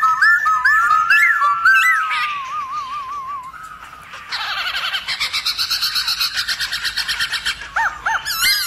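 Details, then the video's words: Black-throated laughingthrush giving a varied forest-style song to stir other laughingthrushes into singing and dancing; looping whistles and a wavering trill, then a long rhythmic burst of harsh pulsed chatter and closing whistles. "Khướu bạc má HÓT GIỌNG RỪNG KÍCH MÚA nhiều giọng cực hay kích khướu bạn căng lửa"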